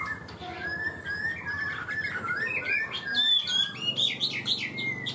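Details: Caged Chinese hwamei, a songbird praised for high-pitched singing and starting its song quickly and steadily; scattered chirps and short high whistled notes over a faint low indoor hum.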